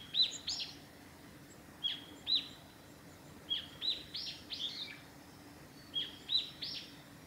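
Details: Japanese tit singing along a forest road at Lake Miyagase, Japan, on March 28, 2020: high, thin paired notes in short bursts about every second or two, over a soft, steady background rush.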